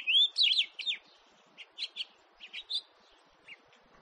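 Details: House finch in 2018 giving a burst of bright slurred chirps, then scattered short single notes spaced a few tenths of a second apart, with a faint murmuring background.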